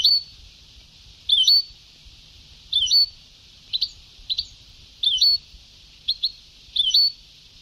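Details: Sebtaoui-style goldfinch song from an old tape: a run of short, bright notes, some with hooked slurs and some as quick double chips, coming roughly every half second to second, over steady hiss.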